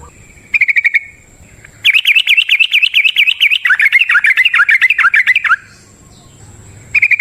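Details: Yellow-vented bulbul (trucukan) giving a long ropel song in forest style, meant as a lure for silent birds; dry rapid pulsed chatters bracket a long stretch of fast rolling, warbled whistles wavering up and down.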